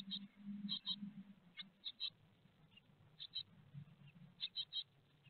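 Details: At a Théding nest box in France, 4 May 2021, great tits are heard around a peanut feed. Scattered pairs and triplets of high, sharp peeps sit above a steady low rumble, with gaps between.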